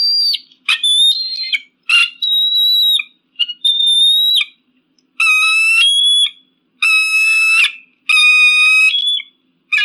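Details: High eagle screams meant to deter pigeons and crows: piercing whistled cries with a rich ringing tone, each about a second long, repeated roughly every second and a half, some falling at the end.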